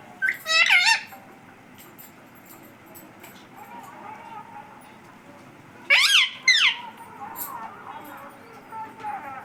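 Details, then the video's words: Talking pet parrot that says "Mummy", giving two bursts of paired, falling, rich-toned syllables about five seconds apart, with faint lower murmurs between them indoors. "Mummy bolne wala tota"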